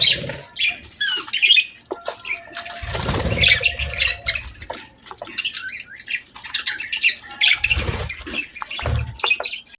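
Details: Budgerigars chirp busily during a meal of healthy food, rapid high squeaky chirps and warbles throughout, broken by a few low thumps and rustles.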